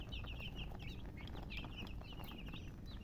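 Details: Several baby chicks chirp in quick succession, short high slurred peeps overlapping densely above a rumbling low background.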